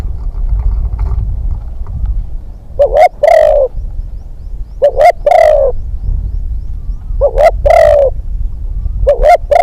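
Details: Young spotted dove used as a hunting decoy, out on its second training trip, gives loud, low, hollow cooing phrases, each a short stuttered lead-in then a longer drawn note, repeated about every two seconds against faint outdoor rumble.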